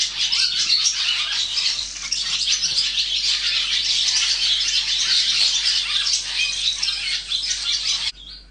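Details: Swallow chicks in the nest as they are raised, a continuous loud wall of high, shrill, overlapping chirps lasting about eight seconds before stopping abruptly.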